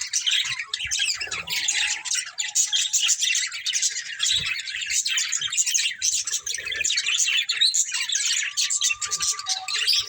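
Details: Pet budgerigars, a breeding pair, chatter nonstop in fast scratchy chirps and squeaks, with a short whistled note late on and faint knocks below.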